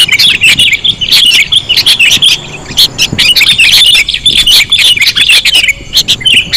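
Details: Sooty-headed bulbuls in a lure recording, giving rapid, jumbled chirps and bubbly whistled notes in a lively, steady chatter with brief dips.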